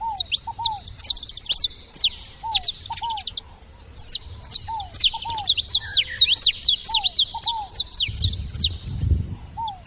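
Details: Saffron finches chattering at a feeder in rapid, overlapping high chirps with a brief lull, over lower downslurred double whistles and a low rumble near the end.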